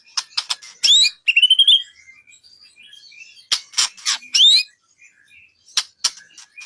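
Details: White-rumped shama song used as a training recording for songbird contests: bright whistled notes, some rising and sliding, mixed with short harsh broadband bursts in irregular phrases separated by brief pauses.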